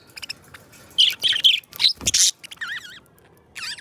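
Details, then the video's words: Two pet budgies singing: soft ticking at first, then loud scratchy warbling bursts, followed by wavering, zigzag whistled calls repeated several times. "2 Hours of Budgies Song -birds sounds - Singing and Talking"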